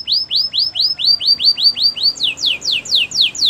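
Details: Canary training song made of loud repeated downslurred whistles, about four per second, switching partway to steeper, higher sweeping notes.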